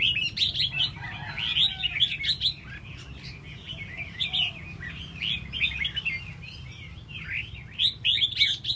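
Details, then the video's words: Red-whiskered bulbul spreading its tail while singing dense clusters of sweet, rippling chirps that come in surges, with faint background hum. "Chao mao xoe duoi"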